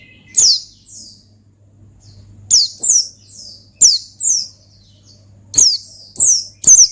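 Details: Rival-provoking gacor ngalas from an Oriental white-eye: high thin chirps sliding downward, in paired or tripled bursts spaced by silent pauses, a low hum running throughout.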